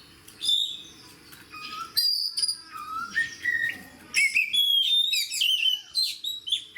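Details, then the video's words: Oriental magpie-robin (kacer) in energetic fighter-style song, said to fire up other magpie-robins. Loud, clear whistled phrases, some rising and some sliding, mixed with quick chirps and sharp high notes in bursts with short pauses. "AWAS BURUNG KACERMU MBAGONG DENGAR SUARA KACER GACOR DAN FIGHTER LAIN DI SEBELAH KACER INI"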